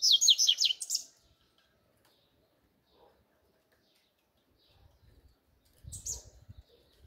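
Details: Double-collared seedeater giving a one-second burst of its 'grego' style song: rapid high, sharply falling notes, then near silence with a brief chip and low thumping toward the end.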